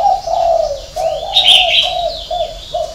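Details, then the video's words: Spotted dove with a six-note call, 'hậu 3' ending. A clear phrase of low, husky coos, the first drawn out and the last short and clipped, with faint high twittering of other birds behind. "chim cu gáy 6 tiếng ( hậu 3)"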